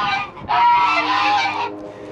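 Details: Domestic geese on a farm on a cool fall morning, waiting to be let out, honk: a short call, then one long, harsh, nasal honk lasting about a second, with quiet farmyard background.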